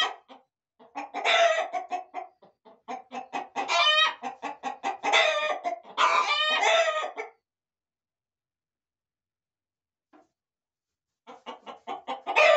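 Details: Roosters and hens in a corral, with dense overlapping clucking and several loud, strained crows in close succession, a quiet pause, then clucking and another crow starting at the end.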